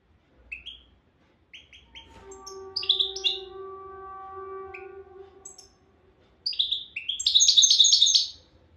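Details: European goldfinch singing in the Souk Ahras style: short bright rising twitters, then a long steady low humming tone with overtones, then a rapid, loud burst of high tinkling, buzzy notes.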